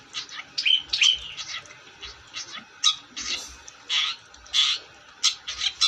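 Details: Long-tailed shrike singing actively: loud, harsh, scratchy bursts repeated irregularly, with a few thin whistled notes mixed in, in a quiet, small indoor space.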